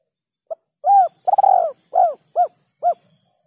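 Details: Spotted dove giving a rare lure call with a kuk 2 or kuk 3 ending: a short soft note, then a series of mellow hooked coos with one longer rolling coo in the middle, all low and clear against silence.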